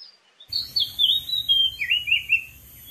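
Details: Wild Oriental magpie-robin on a dead tree pours out a quick, loud phrase of rich whistled notes, gliding and warbling downward, with a faint steady insect whine behind.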